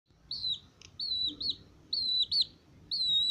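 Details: Male Aseel chicks, 22 days old, chirping: thin, high whistled peeps that slide slightly downward, given singly or in quick pairs about every half second, over a quiet background.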